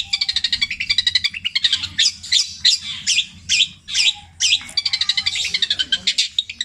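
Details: From Java, a caged long-tailed shrike sings long repeated mimicry of tengkek buto, kuntilanak and greja, petir version: fast regular ticking, a middle stretch of harsh wavering squawks, then quick ticking again.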